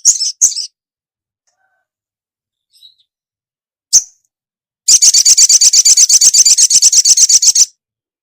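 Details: Female ruby-cheeked sunbird calling the male: a few isolated high chirps, then a rapid, even trill of sharp notes lasting nearly three seconds.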